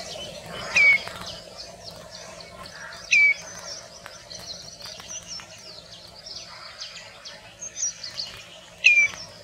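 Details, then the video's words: Common redshank in India uttering single clear, downslurred whistled notes a few seconds apart, set against a busy chorus of other small birds chirping. "Sound of Common redshank bird"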